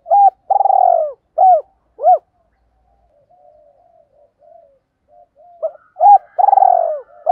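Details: Spotted dove decoy call in 'tiếng thúc' style meant to stir wild doves: a loud phrase of a rough drawn coo and two short hoots, a quiet stretch of soft murmurs, then the phrase resumes.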